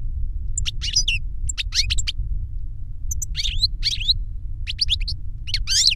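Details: Reclamo song from goldfinches, a tutor male and a novice that copied its singing from a CD recording. Scattered high chirps and buzzy trills form uneven phrases against constant low-pitched background hum.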